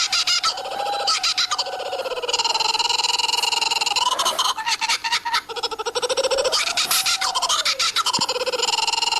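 A kookaburra's loud, raucous laughing call: rapid chuckling notes that rise and fall in rolling bursts, continuing without pause for the whole stretch.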